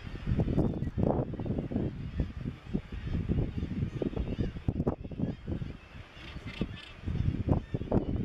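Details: Razorbills at Bempton Cliffs RSPB, East Yorkshire, on 21 May 2017 give deep, rough, grunting growls in quick, uneven bursts, overlapping like a busy colony, with a low rumble of wind beneath.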